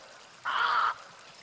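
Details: Muscovy duck, one of a pair, at Arapongas, Paraná, Brazil, giving a single harsh, hoarse, evenly pitched call about half a second long against a faint background hiss.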